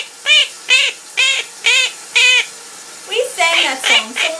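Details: Pet parrot singing indoors while its owner showers: five evenly spaced arching harmonic notes, then a faster run of squeakier, more jumbled notes near the end.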